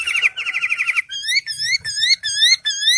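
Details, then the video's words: A singing bird, indoors: a rapid trill of buzzy notes, then a series of rising whistled slurs repeated about twice a second. "Singing bird"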